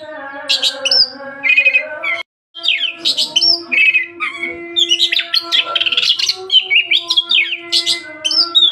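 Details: Vigorous singing of an Oriental magpie-robin, meant for training caged birds: bright mixed whistles, rising and falling slides and buzzy trills in quick succession, with one brief silent break. A constant low humming tone persists throughout.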